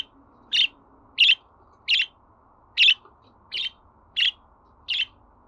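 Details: Budgerigar sounds meant to be played to a pet budgie to get it singing: short, sharp chirps repeated roughly every 0.6 to 0.7 seconds, seven in a row over a faint low background hum.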